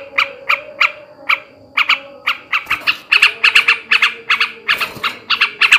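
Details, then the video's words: Male sooty-headed bulbul chattering in ngebrem ngekek garuda style to stimulate breeding: spaced harsh notes build into a faster, denser run of rasping bursts, with a brief knock partway through. "kicau suara burung trucukan jantan ngebrem ngekek garuda ini ampuh menaikkan birahi trucukan bahan"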